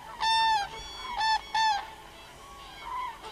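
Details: Common crane calling: three loud, trumpeting, harmonic-rich calls, each about a third of a second, with a softer call near the end over quiet background hiss.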